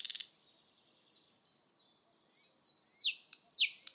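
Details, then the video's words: A thrush nightingale perched and singing on a spring evening gives a burst of dry clicking notes and soft scattered chips, then two loud, sharply falling whistles half a second apart. "Thrush nightingale perched and singing"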